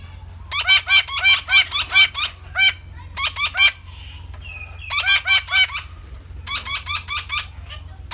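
Red-breasted parakeet giving loud, harsh, rapidly repeated squawks in bursts of four to eight, with short pauses between series; a low steady hum underneath.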